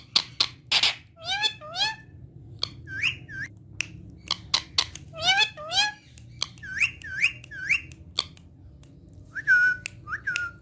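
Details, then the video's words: Indoor talking parrot reported to repeat 'Mian Mithu Gee' in Urdu and Hindi: harsh noisy syllables and clicks alternate with bright harmonic whistles that bend downward and rise, ending in two clear, falling whistled notes. "Amazing Talking Parrot Saying Mian Mithu Gee In Urdu Hindi"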